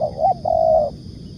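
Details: Spotted dove (tekukur) used for luring, giving a close, loud phrase: two quick dipping notes, then a long, even, slightly wavering coo lasting about half a second.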